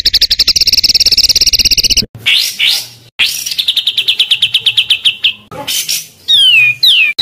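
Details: Small songbird singing dense training material full of 'tembakan' shots: a fast buzzy trill, then rising whistled swoops, a long descending rattle, and closing slurred whistles that sweep down.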